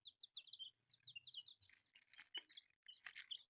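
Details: Newly born chicks give short high peeps early on, then scratching, tapping and crunching noises take over with only a few chirps left.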